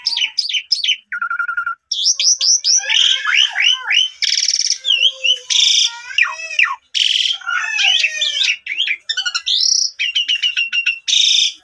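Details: Long, nonstop Asian pied starling song played as a lure for silent birds, packed with varied swooping whistles, loud grating buzzes, chattering clicks and rising slurred notes with barely any pauses.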